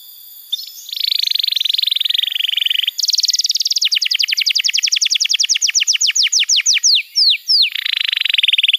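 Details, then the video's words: Canary training song for young birds: after a quiet start, a buzzy rolling trill, then a higher rattle that turns into a long series of sweeping downward notes, closing with another roll. "Masteran Kenari PAUD & Pancingan Kenari MACET BUNYI"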